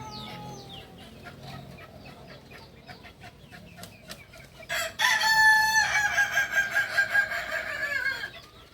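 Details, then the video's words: A kukuak balenggek rooster from Solok, West Sumatra, crows after a quiet stretch of faint distant calls: a sudden loud onset followed by a long series of quickly repeated, pulsing stepped notes lasting over three seconds. "Ayam kukuak balenggek ayam asli solok sumbar"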